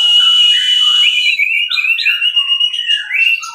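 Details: Orange-headed thrush singing in the 'teler' style for masteran training: a clear, sustained whistle that breaks into wavering, slurred whistled notes rising and falling in quick succession.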